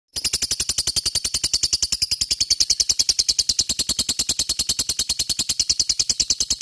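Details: Lovebird ngekek, used as a lure to prompt other lovebirds to sing long and keenly: a long, steady, very rapid chattering trill of high, sharp, scratchy pulses lasting the whole stretch, with nothing else audible.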